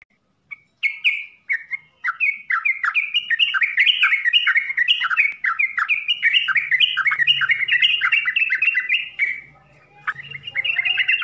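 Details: Yellow-vented bulbul (trucukan) singing a full-isian song: fast, continuous chattering of short warbled and slurred notes, rising and falling, with brief pauses near the start and near the end.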